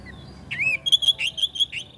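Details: Oriental magpie-robin giving a swooping whistled note followed by a rhythmic series of about six bright, ringing whistles at a steady pitch.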